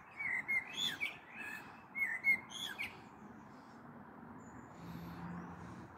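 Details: On 21 April 2022, an evening with a possible storm coming, a common blackbird sings near a balcony: two mellow, fluted phrases, each ending in thin, high twittering, then a quiet stretch with faint background hum.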